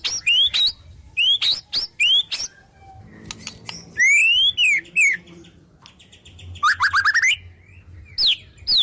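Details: Full song of a White-rumped shama, loaded with borrowed wild-bird phrases, made for mastering: sharp rising whistled notes in short groups, a loud upward-sweeping whistle, then a tumbling run of descending notes. Faint rustling sits underneath.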